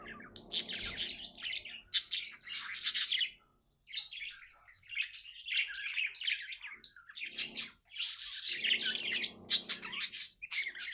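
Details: Cheerful pet budgerigar chatter: loud bursts of high squeaky chirps and warbles, broken by a brief silence midway, with some low rustling underneath.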